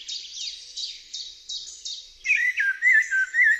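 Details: High, thin squeaky notes repeat about twice a second. Then a Eurasian blackbird bursts into loud, fluty, melodious whistles that rise and fall in short warbled phrases.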